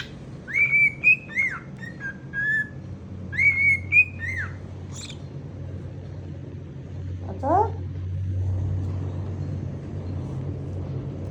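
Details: A male pet cockatiel, free-roaming at home, sings to its owner's feet, whistling two bright, slightly wavering phrases over a low background rumble.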